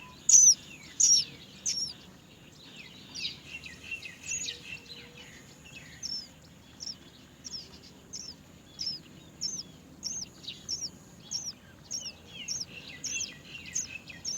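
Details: Great myna young wait for their mother to feed them, giving thin high squeaky begging notes, louder at first then fainter, repeating about every three-quarters of a second over low rumble.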